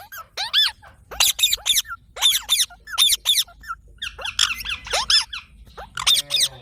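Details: Green parrot kept as a pet, giving repeated sharp harmonic squeaks in quick bursts, some rising and some falling, with short pauses between groups; a faint low hum runs underneath.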